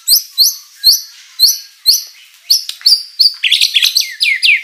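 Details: Murai batu, or white-rumped shama, in vigorous lure song: five bright, high upslurred notes repeated about every half second, then quicker varied chirps ending in a dense burst of warbling.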